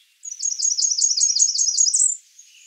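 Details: Blackburnian warbler giving one very high, thin run of about nine quick, evenly spaced notes lasting around two seconds, slightly rising at the end, against a silent background.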